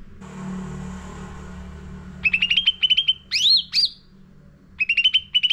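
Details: Lure song of a sooty-headed bulbul used to train caged birds. A quiet hiss comes first, then rapid clipped chirps, two loud rising whistled swoops, and another burst of fast chirps near the end.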